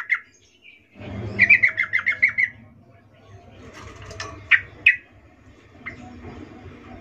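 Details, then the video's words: A female sooty-headed bulbul calls a male with a 'ngecuplik' arousal call: a single short run of quick chattering notes, then a few isolated sharp notes over low hum and rustling. "Trucuk BETINA memanggil Jantan Suara Birahi Ngecuplik"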